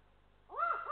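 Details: Eurasian eagle-owl adult at the nest in Estonia alarmed by a passing lynx, uttering an abrupt hoarse arching bark, doubled and rising at the end, over quiet low hum.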